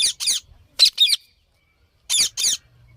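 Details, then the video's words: A parrot squawks: three pairs of quick, harsh, grating bursts separated by brief pauses, with a quiet background. "Parrot Making Noises"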